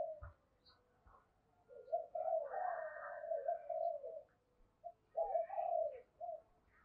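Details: Spotted dove used as a decoy, cooing early in the morning to call wild birds, in the thổ or thổ sấm voice style; faint, hoarse low coos in two phrases with a gap, some background noise.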